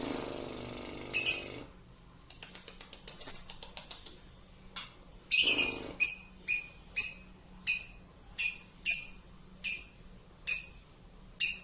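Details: Lovebird ngekek song used to stir other birds: scattered clicks and a few screeches, then a long regular run of shrill, rasping bursts repeated about every half second.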